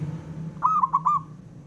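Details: One phrase from a local male zebra dove calling to draw answers from rivals: four quick, bubbling coo notes, the first drawn out and slightly rising, over a low hum.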